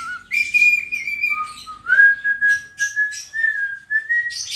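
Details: Dancing cockatiel, a pet, whistles a tune: a short low note, a higher held tone, then a lower whistle that climbs slowly in steps, with scratchy chirps in between.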